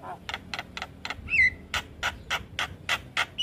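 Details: Javan myna song, used to train young mynas to sing: a fast run of harsh, broadband chattering notes about four per second, broken once by a short, clear, rising whistle, over a faint low hum.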